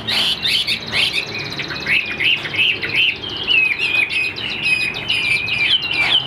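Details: Chinese Hwamei kept in a cage, its fast, high, warbled song partly masked by background hiss and room noise.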